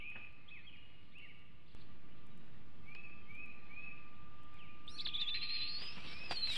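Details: Bald eaglet at the Hanover nest in 2021, possessive over food shortly before fledging, gives scattered faint slurred chirps, then a louder rising, drawn-out squeal near the end, with low outdoor rumble throughout.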